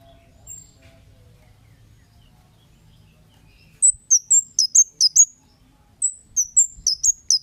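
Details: Kemade lure calls for setting off replies from other birds. After almost four seconds of quiet low background, two bursts of rapid, thin, very high chips arrive, about six notes each.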